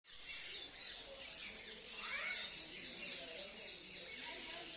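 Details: Mature double-barred finches, about 10 cm long, give a dense chorus of thin, high chirps and nasal calls that overlap without pause, with a faint human voice murmuring underneath.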